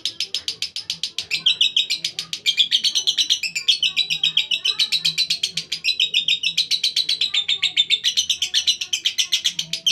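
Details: Lovebird ngekek continuing for nearly ten seconds, fast, harsh chattering notes in a tight unbroken stream that swells louder in the middle, with faint voices in the background.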